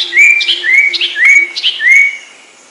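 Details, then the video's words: A common iora (cipoh) giving the sertu song: four quick rising whistled notes in a row, each sweeping upward and bright, spaced about half a second apart, with a faint low hum underneath. "Masteran Suara Cipoh Sertu"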